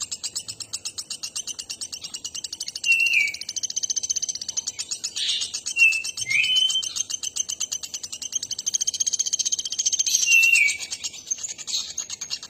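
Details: Energetic nuthatch song: continuous rapid high-pitched pulsing notes, roughly four each second, overlaid with several short bright whistles that bend downward, louder in the middle section.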